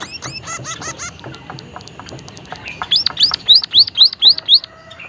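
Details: White-headed munia, known in Javanese as emprit haji, utters seven loud arched high-pitched whistles in quick regular succession after a stretch of mixed chirping and buzzy notes from surrounding birds.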